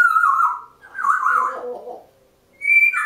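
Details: Pet African grey parrots before bedtime, making winding-down noises from atop a kitchen door: a sustained level whistle, then a lower, wobbling, descending warble, a pause, and a higher whistled note.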